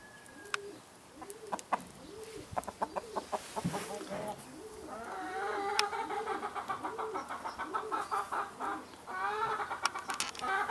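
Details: Red-Saddled Yokohama rooster with his hens: a long run of soft, arched clucks repeated steadily, then louder, rapid, chattering clucking with rising notes, plus scattered sharp clicks.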